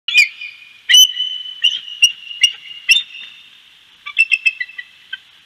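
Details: Bald eagle at Big Bear giving high, thin, piping whistled notes and quick chattering chips in bursts, over a steady high background hiss.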